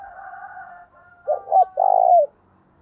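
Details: Spotted dove used as a lure bird, calling to draw in wild doves with urging and summoning calls: a faint steady tonal hum, then three coos, two short rounded notes and a longer buzzy pulsed note that dips at the end.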